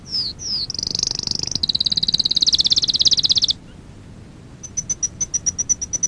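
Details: Canary for song training gives two falling high whistles, then a long, rapid, very high trill of pulsed notes, a pause, and a slow series of clear spaced pips.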